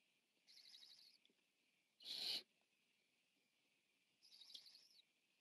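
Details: On a nest camera on 14 September 2015 the largest Barn Owl owlet feeds. One loud, harsh screech is flanked by softer, wavering chittering hisses before and after it.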